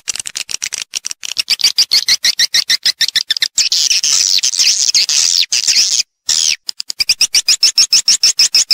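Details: Lure recording of swiftlets, used to bring birds into nesting houses: fast, evenly pulsed high chirps, about three per second, merging into a dense, continuous chatter in the middle before the pulsing returns.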